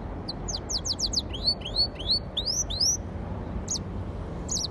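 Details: Yellow-fronted canary and canary hybrid in song: quick high downslurred notes, then a run of rising whistled sweeps in pairs, ending with short high chirps after a pause; constant low background noise.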